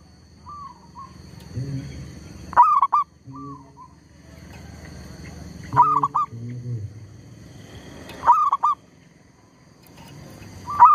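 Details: A zebra dove at a bird-trapping spot, undeterred despite disturbance from a tree squirrel, gives short, loud, burred coos about every three seconds, with softer broken notes between them over a low background rumble.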